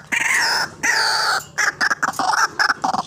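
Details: White-breasted waterhen, used as a trapping lure, gives two long, harsh, nasal croaks followed by a quick series of shorter, choppy grating notes.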